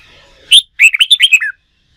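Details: A wild-caught red-whiskered bulbul trained for singing contests delivers a single loud chirp followed by a rapid tumbling run of warbled notes, bright and lively, finishing on a downward slur.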